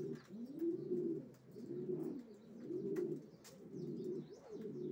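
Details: Racing pigeons cooing: low, rolling, arched coos repeated about once a second in a steady, droning stream, with faint clicks and light background noise.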